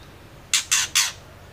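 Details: Three rasping, noisy chack notes from a female white-rumped shama, evenly spaced about a fifth of a second apart; the calls are meant to provoke males into singing.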